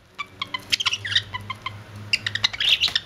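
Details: Budgerigar kissing, giving rapid scratchy chirps and clicks in uneven bursts, with a steady low hum in the background throughout.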